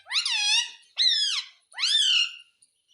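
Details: Pet parrot talking and asking for roti, three loud, nasal word-like syllables in a row, each swelling up then curving down, the last the longest.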